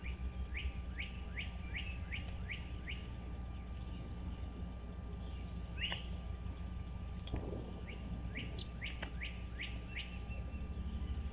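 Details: Bald eagle nest on Dale Hollow Lake reservoir, Kentucky–Tennessee state line, camera recording from 17 April 2023 at 07:24; two bursts of quick rising upslurred yelps, six or seven each, separated by a pause with a brief low rumble, constant hiss and hum.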